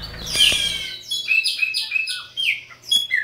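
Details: A caged chopi blackbird, native to Brazil, sings a loud, rich run of clear whistles and quick slurred notes, some rising and some falling, in a rapid bubbling sequence with no other sounds.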